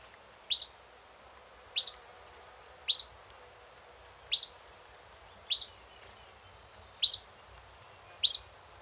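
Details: An Acadian flycatcher in Cincinnati, Ohio gives seven sharp, high, clipped notes, one every second or so, against a quiet background.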